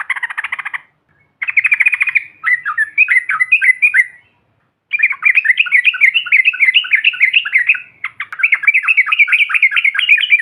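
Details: Yellow-vented bulbul lure calls meant to provoke other birds: a buzzy rattle, then extended runs of fast, lively, wavering chatter with short breaks between bursts.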